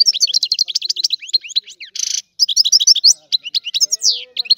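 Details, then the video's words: Dense, tinkling European goldfinch song: fast sequences of sharp, rising and falling chirps, interrupted once by a brief harsh buzz, then resuming with liquid twitters. "تغريد الحسون"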